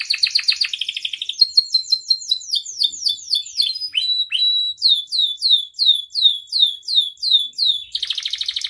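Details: Canary song meant to teach other canaries and set them singing, packed with varied phrases: a short trill, then a long even series of sweeping downslurred notes, ending in a dense rapid trill.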